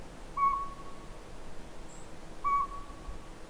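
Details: Northern pygmy owl at Sea To Sky Gondola: two pure, level whistled toots about two seconds apart, each short and flat, set against steady low background hiss.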